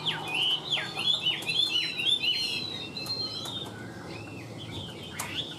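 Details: Caged tame Chinese hwamei singing a rapid, even run of looping whistled notes that rise and fall, easing into softer phrases, with a faint click and low hum behind.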